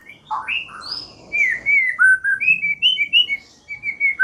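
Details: White-rumped shama song played as a lure for trapping and prompting birds to sing: loud clear whistled notes, some sliding up or down, delivered in a quick varied series with faint background noise.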